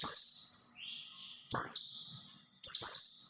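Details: White-eye singing to lure other white-eyes: a long, thin, high whistle, then two more phrases that open sharply and fall away into a sustained warble.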